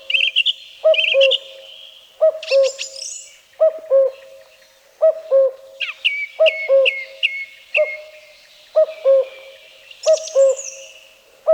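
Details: In woodland of Wielkopolski National Park, Poland, a Common Cuckoo repeats its two-note cu-coo about nine times at a steady pace, roughly every second and a half, over a singing song thrush's whistles and rattles; recorded 1990.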